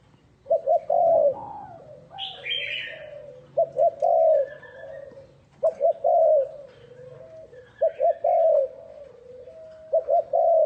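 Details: Decoy spotted dove calling to draw in wild doves: mellow, hollow coos in repeated phrases, two quick notes then a longer bending hum, about every two to three seconds. A brief higher bird chatter rises in the background.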